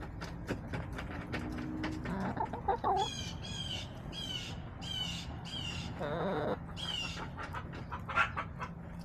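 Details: Backyard chickens on a homestead camera, late March: a busy mix of short clucks and chirping calls, with a longer drawn-out harmonic call near the end, over a steady low hum.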